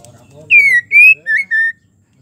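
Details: Call of a female white-rumped shama, in breeding mood, summoning a male: a brief soft lead-in, then four loud pure whistles, two longer ones followed by two shorter, lower notes.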